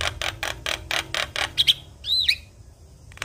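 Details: Javan myna in lively song with varied fill-in phrases. A rapid run of dry, rattling pulses is followed by two bright pips and a swooping, curved whistle.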